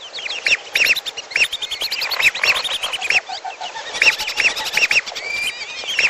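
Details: Trapping-lure mix of lesser whistling duck and piolo calls: busy flock chatter of clear, bent whistles in quick doubled bursts, overlapping thinner high notes throughout.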